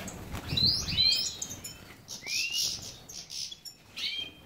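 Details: Captive European goldfinch, subspecies major, from a breeding setup in Ioannina, Greece, gives clear high twitters and slurred chirps in short bursts, with a brief low fluttering rustle early on.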